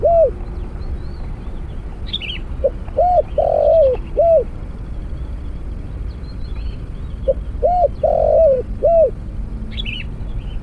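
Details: Spotted dove repeats its cooing phrase twice, roughly five seconds apart, during a trapping session using a snare cage and decoy bird. Each phrase has a lead note, arched coos and a prolonged middle coo. Other birds chirp above.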